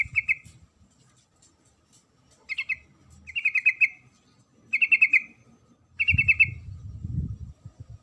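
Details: A female sooty-headed bulbul calls to the male in short chattering bursts of three to five rapid notes, about one each second, ending over a low rumbling noise.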